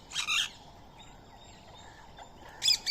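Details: Indian ringneck parrot at daily feeding time on soaked rice and corn, with a squirrel nearby. Two harsh, raspy squawk bursts, one at the start and one near the end, separated by a quiet gap with faint background noise.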